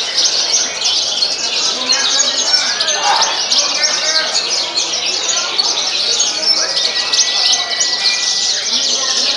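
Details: Horsfield's bush lark song at a songbird contest in Tasikmalaya on 6 June 2021, where the bird won its class: dense rapid high chirps and trills overlapped by other larks singing, with faint voices behind.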